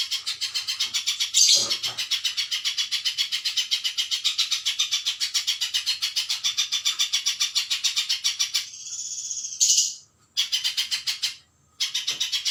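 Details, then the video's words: Spiderhunter song for bird training: a long, relentless series of high, metallic notes at almost four per second for about eight seconds, then a hissing break, two short cut-offs and the notes resuming. "Masteran burung pijantung"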